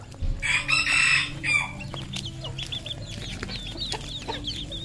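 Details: Red junglefowl, a local decoy bird, giving a loud, harsh, drawn-out call, followed by a string of thin, high chirps repeated rapidly against a faint hum.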